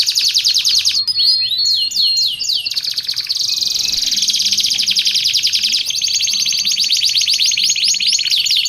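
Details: Energetic canary song for training and luring: high rolling trills broken by a burst of sharp zigzag notes and quick swoops, then long steady buzzing rolls of rapidly repeated notes.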